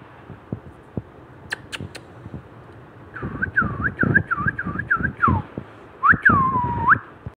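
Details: Young pet green Indian parrot: after soft clicks and handling noise, a quick run of short looping whistled notes, then a longer clear whistle that rises, dips and levels off.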